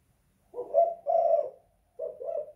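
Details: Spotted dove (tekukur) calling indoors in a house in the 'kuk 2 / guk 1' style: a low husky two-part coo, a short pause, then a softer paired coo, with a quiet room behind.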